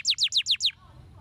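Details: Canary singing, recorded to stimulate lazy canaries to sing: five quick, bright, high notes, each sliding downward, repeated evenly over under a second before stopping, with faint low hum behind.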